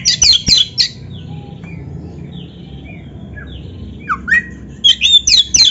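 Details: Oriental magpie-robin song to make caged birds sing back: brief bursts of sharp chattering whistles at the start and end, separated by faint scattered notes and quiet.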